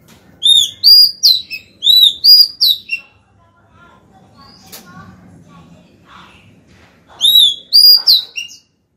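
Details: Female white-rumped shama singing to call the male, a caged songbird: rapid bursts of rich whistled notes with bright overtones, a quieter pause with faint low murmur, then another loud burst.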